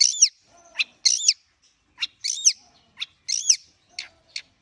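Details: Long-tailed shrike warming up: harsh, buzzy high notes with rising-falling double strokes, given in short bursts about once a second with brief pauses between, plus a few quick sharp ticks.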